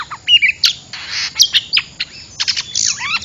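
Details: Oriental magpie-robin lure call for trapping birds: short whistled notes and brief chirpy bursts, some rising and falling sweeps, irregularly spaced over a steady faint high background tone.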